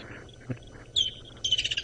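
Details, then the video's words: Woodland kingfisher calling from high in a tree beside a safari vehicle at sunrise in the Sabi Sand, South Africa: a sharp high whistled note, then a loud rapid buzzing trill, the chick brrr. "Now there's a woodlands kingfisher calling next to us. That's that chick brrr"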